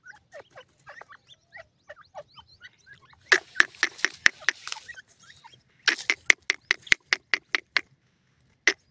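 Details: Grey francolin chicks in Pakistan feeding and playing: thin, falling peeps repeated about twice a second, then loud sharp clicks or taps in quick runs mixed with the peeping.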